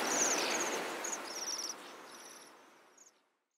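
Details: Bohemian waxwings during a 2012 invasion in Bratislava, Slovakia: several birds give high, thin, sibilant trills in short overlapping bursts over a soft hiss of background noise that fades away.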